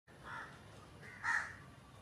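Two harsh, nasal crow caws about a second apart, the second louder, over a steady faint background hiss.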